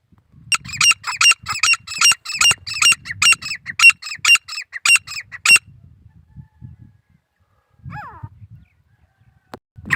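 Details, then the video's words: A long series of loud, raspy grey francolin notes repeated rapidly for about five seconds, followed by quieter background sounds and one faint descending call. "Teetar pakshi ki Awaz | Titur ki Awaaz"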